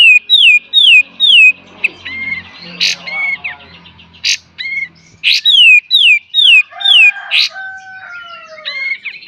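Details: Kapas tembak master song in full beset and tembak style for training cage birds: three high descending whistles, loud explosive bursts and looping whistled phrases, with a faint low hum early on.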